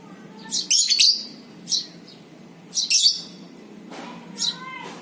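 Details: Shrill lovebird chirp bursts from a pancingan recording to trigger ngekek; clusters of high squeaky notes roughly every second, ending with a fainter, softer chirp.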